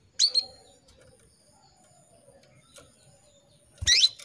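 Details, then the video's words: Female canary calling for a male, played to stimulate male canaries: a sharp rising chirp, a long quiet pause with faint faraway tones, then a second harsh chirp with a low thump. "PANCINGAN KENARI BETINA MEMANGGIL JANTAN"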